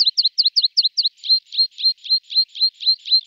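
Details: Tree pipit song switching phrases: six quick, sharp double notes give way to a slower series of longer, buzzier, level notes repeated about three times a second.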